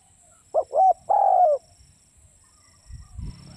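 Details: A single spotted dove phrase: two short, hollow coos followed by a longer, slightly falling coo, and then faint knocking noises.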